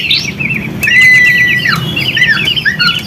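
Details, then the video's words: White-rumped shama singing, intended as a lure to stimulate other shamas: quick warbled phrases, a clear sustained whistle, then twisting rising and falling notes over a low background hum. "MURAI BATU GACOR Ampuh buat pancingan"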